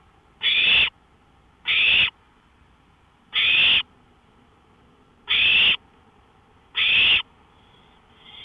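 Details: Porch recording at 1:53 AM on May 5, 2013, with an owl giving five evenly loud, harsh hissing bursts spaced over a second apart, then the faint start of another toward the end.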